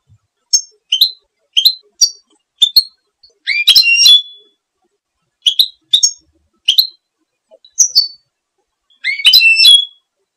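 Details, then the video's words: Goldfinch calls: sharp, high, rising chirps given singly or in pairs at irregular intervals, with a few longer twittering bursts among them, on a quiet background. "Canto del Jilguero"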